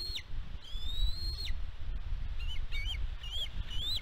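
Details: Nest-cam recording of a bald eagle on Catalina Island, California, USA, 16 May 2022. One long even whistle ends in a steep drop, then a burst of short wavering chitter notes follows, over low wind.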